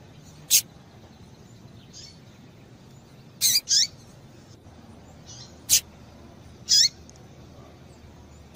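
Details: Female double-collared seedeater (Sporophila caerulescens) calling to stimulate the male to sing: short, sharp, high chips, given singly or in quick pairs at irregular intervals every second or two, with fainter softer notes between.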